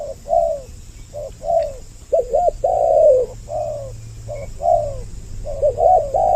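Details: Two spotted doves calling on a lure track to pull in males and females. Repeated low coos in phrases, including quick wavering double notes and longer downslurred ones, over a light low hum and hiss.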